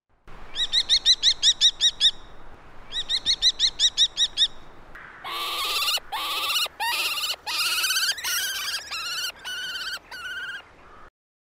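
A common kestrel gives two quick runs of shrill, ringing kee-kee-kee notes, about eight each, then a longer run of harsher, scratchier calls in bursts.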